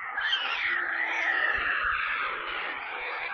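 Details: Hungry white stork chicks near Kaluga, Russia, on a live nest camera: a short, steady stretch of scratchy, wheezing screams with a few faint low thumps.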